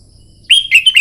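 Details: Red-whiskered bulbul, trained for song contests, bursts into loud morning song: a strong whistled note leading into quick warbling slurs, abrupt and very close.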